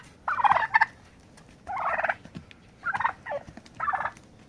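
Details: Turkeys fighting to establish dominance and a pecking order: four rough, chattering bursts of yelping calls, each about half a second long, separated by short pauses over a quiet background.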